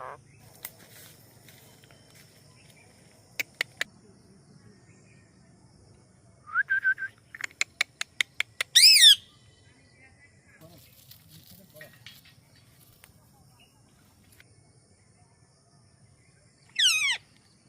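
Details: An Indian parrot gives a few short, harsh screeches between sharp clicking sounds and quiet pauses.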